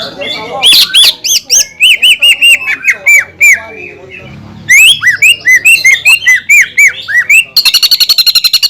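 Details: Lure song of a greater green leafbird, played to rouse silent or freshly moulted leafbirds. It has looping whistles, chopped upswept notes and a steady row of level notes, then ends in a very rapid buzzing trill.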